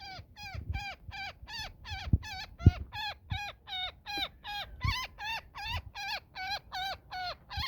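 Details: Woodpecker caught in a net giving distress calls: harsh, nasal, harmonic squawks that drop in pitch, repeated about twice a second, with low thumps and handling noise underneath.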